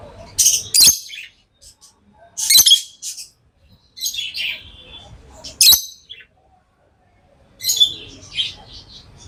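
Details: Tame pet lovebirds give bursts of harsh, scratchy high chirps and squeaks, in four short clusters roughly every two seconds with quiet gaps between, some with a sharp clicking onset.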